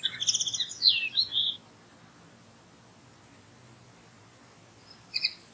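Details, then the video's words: Common linnet singing among other nearby birds: a quick burst of dry, high, buzzy twittering notes lasting about a second and a half, then quiet, with a brief chirp near the end. "Голос птицы Коноплянки"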